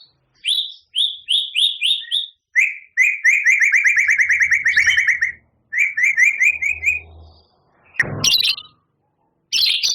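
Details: Champion white-rumped shama in full song with fill-in phrases. Quick bursts of high, repeated chirped notes come in rapid trills, with a short harsh noisy burst near the end.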